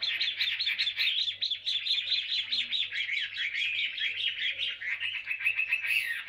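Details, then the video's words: Wild-caught mature Chinese hwamei with greenish plumage, kept two years in a cage, sings a dense, rapid run of chirping and warbled notes, about two or three per second, with a faint steady low hum underneath. "HM 221 ngũ trường lông xanh già rừng 2 năm lồng"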